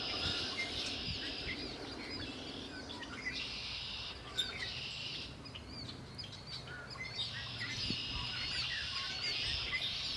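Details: Wild birds by Lake Erie give long high buzzy trills lasting one to two seconds, broken by brief pauses, with a few thin chirps and a low rumbling background.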